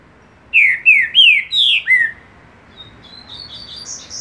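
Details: Green-winged saltator song: five loud, clear whistled notes, each sliding downward, given in quick succession about every third of a second, followed by a softer series of thin, high rising notes.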